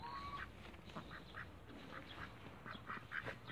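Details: Cayuga ducks in a backyard: a steady run of short, harsh, nasal quacks, several per second, overlapping from more than one bird, with a brief whistled note from another bird near the start.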